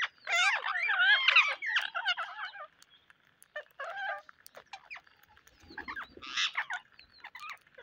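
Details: Parrots on a rainy day give harsh, chattering squawks, loudest and densest in the first three seconds, then scattered raspy bursts with quiet gaps between them.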